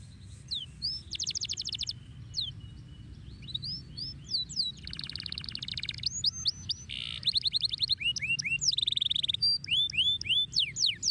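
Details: Canary singing a rich, varied song of rapid rising and falling whistled sweeps mixed with fast buzzy rolls and dense trills, phrases changing every second or two, with a low background hum.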